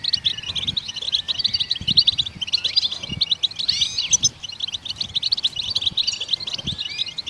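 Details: Goldfinches singing, a sound meant to stimulate other songbirds to sing: a dense, continuous twittering of rapid high chirps, trills and short buzzy notes, with several voices overlapping throughout and faint low thumps beneath.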